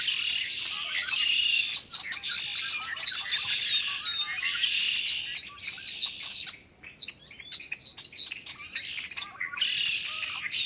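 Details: Large noisy flock of Red-winged Blackbirds calling and singing in spring, early March 2010: a dense, continuous chorus of high chips, buzzy trills and squeaky notes rising and falling in waves.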